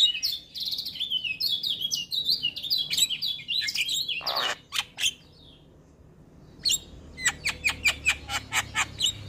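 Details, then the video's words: Morning song of a male Javan myna, full of fill-in phrases: a chain of rising whistled chirps, then a brief silence and a run of crisp, evenly spaced ticking clicks. "Masteran Jalak Kebo Pagi Hari Jalak Kebo Jantan Gacor Full isian"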